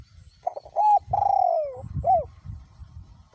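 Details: Spotted dove, a caged decoy bird with a small-to-medium voice, cooing in strong wind: a short note, then a long sliding coo falling at the end, followed by a brief curved coo, against low rumbling wind.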